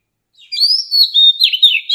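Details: Brief phrase from an old wild-caught Oriental magpie-robin used to train young birds: a rising whistle flows into a continuous, warbling run of sweet slurred notes.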